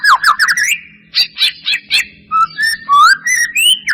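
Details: White-rumped shama lure song aimed at making a reluctant bird sing: quick clusters of trilled notes, then rich rising and falling whistles with varied pitch, over a faint low hum.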